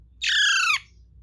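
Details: A pet talking parrot, which also says "Me too" and "Mommy", gives one harsh, raspy squawk about half a second long, steady then dipping at the end, in a quiet room.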